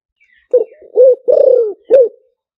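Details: Spotted dove singing liu tan style as a decoy: a short hoot, a rising-falling coo, a long descending purring coo, then a final short coo, all low and mellow.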